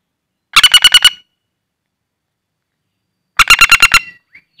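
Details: Wild-caught common flameback, loud while held in the hand, suited for luring: two fast bursts of about six harsh, clipped notes each, separated by a silent gap of some two seconds.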